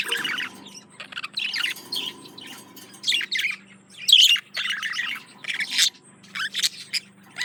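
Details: Male budgerigar courting a female, kept as a pet indoors: a busy chattering warble of squeaky notes, short squawks and bursts of buzzy chirps, irregular and continuous over several seconds.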